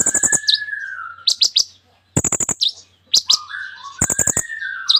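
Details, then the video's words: Sunbird, called kolibri ninja, in full song with borrowed phrases: rapid clicking rattles alternate with high sharp notes and a long falling whistle, broken by brief pauses. "KOLIBRI NINJA GACOR FULL ISIAN MEWAH"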